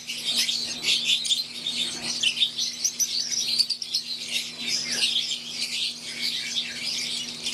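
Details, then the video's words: Aviary flock of wild-type green Fischer's lovebirds kept with Euwing lovebirds: a dense, unbroken chorus of shrill, high chirps and twitters overlapping from many birds, with a faint steady low electrical hum beneath. "Wild type Fischer green & Euwing | Relaxing Sound | Birds Chirping"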